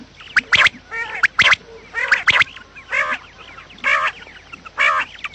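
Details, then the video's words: Quails recorded for luring birds into traps give loud, rasping, harmonic squawks in uneven bursts about once a second. Faint twittering chirps from other birds fill the gaps. "batair Subha ki awaz | quail sound effect"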